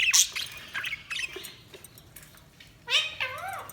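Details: Budgies give scattered scratchy chirps and short squeaks, ending with a pair of clear rising-and-falling whistled notes.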